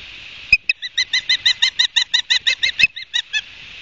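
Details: At an Osprey nest in Barnegat Light, New Jersey, late August 2022 around 12:30, a live camera picks up a rapid, steady chain of about seventeen sharp, high-pitched chirps, with a couple of faint clicks.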